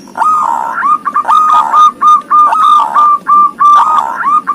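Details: Zebra dove with thirteen tail feathers giving its 'ngoar' song: a continuous run of mellow, rolling, hollow coo notes repeated about three times a second, each with a bright tremolo.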